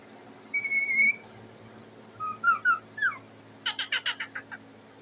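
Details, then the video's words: A pet parrot sitting on its cage, making noise for food indoors: a long steady whistle, then several short warbling slurred whistles, ending in a fast series of harsh raspy notes. "The parrot is sitting on the cage and making a noise"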